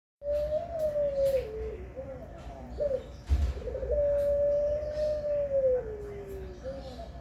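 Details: Zebra dove of the pelung type cooing: long low, steady, slightly wavering coos that sag at the end, two extended phrases with a short broken section between, over a steady low hum.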